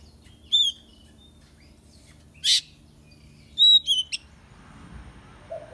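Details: Oriental magpie-robin heard during taming: a few separate clear whistled notes with overtones, given in pairs about three seconds apart, plus one short harsh rasping burst between them, over faint low background hum.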